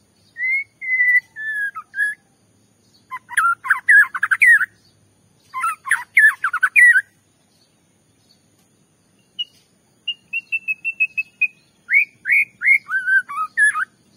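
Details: White-rumped shama song used to provoke a rival shama: a long falling whistle, bursts of dense varied phrases, then a rapid even trill of repeated notes followed by rising and falling whistled phrases.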